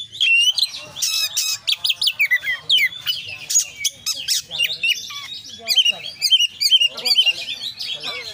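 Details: Kacer, the Oriental magpie-robin, singing a long varied medley: dense rapid chatter, squeaky slurred whistles and harsh buzzy notes crowded together in quick succession.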